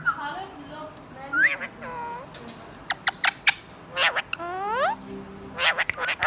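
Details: Pet budgerigar chattering: harmonic warbles and rising notes mixed with sharp clicks and buzzy squeaks, irregular and varied throughout.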